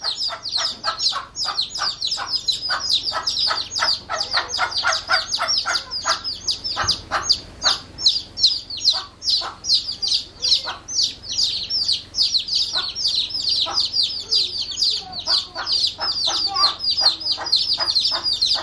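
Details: A mother hen clucks to call her one-day-old chicks upstairs while they peep shrilly and constantly, trying to get to her.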